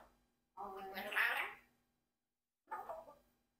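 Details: Rocky, a 4-year-old Congo African grey parrot, speaks in voice-like phrases: a rounded, wordy utterance about a second long, then a shorter one after a pause, possibly a new word.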